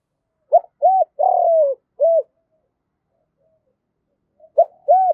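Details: Decoy spotted dove calling in the morning to attract wild doves. One full four-part phrase of low mellow coos, the third long and falling, then a pause before the next phrase starts.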